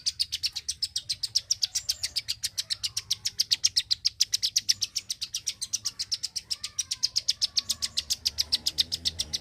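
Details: Klik-klik bird singing very actively: a long, rapid run of sharp, high clicking notes, about four per second, delivered steadily throughout with slight variation in loudness, and no other clear sounds.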